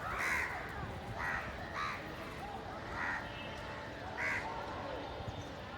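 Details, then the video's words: Village crows fighting over food give several harsh, nasal caws, about five in six seconds, some overlapping, over a steady background murmur that may include distant voices. "Crow birds loudly Crowing sounds"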